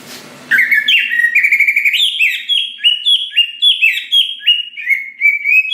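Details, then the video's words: Greater green leafbird in loud, steady song to coax other leafbirds into singing: a long series of clear slurred whistles, each rising then dropping, repeated rapidly with buzzy overtones. "Cucak Ijo Gacor Paling Pintar Memancing Cucak Hijau Lain Agar Cepat Bunyi Gacor"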